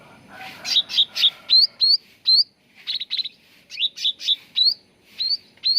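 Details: Sooty-headed bulbul lure for encouraging song: clusters of blurred, buzzy chirps followed by cleaner, rising, hooked high notes, in two similar phrases separated by a short pause.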